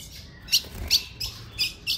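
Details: Female ultramarine grosbeak calling at ten past five in the afternoon to excite a male: five short, sharp, high chips spaced unevenly over two seconds, with faint low rumble underneath.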